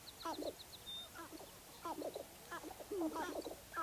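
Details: Sharp-tailed grouse at Baudette, Minnesota, giving bursts of hoarse, clucking and cackling notes in quick clusters, with faint thin chirps from a small bird in the background.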